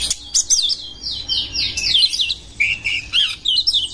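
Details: Oriental magpie-robin seeking a rival to fight, delivering continuous slurred whistles and rapid sweeping warbles that rise and fall, over faint low-pitched background hum.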